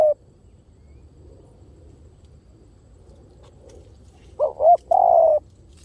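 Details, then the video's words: Spotted dove lure call after a long quiet stretch with a faint low hum: a single cooing phrase near the end, two brief throaty notes then a sustained level coo. "เสียงนกเขาใหญ่!! เสียงต่อ!"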